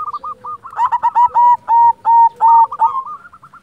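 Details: Local silver-colored zebra dove, a lively-singing champion bird, used to prompt quiet doves to sing: fast series of short hooked cooing notes, swelling midway into louder, steadier whistled coos about three per second, then fading back.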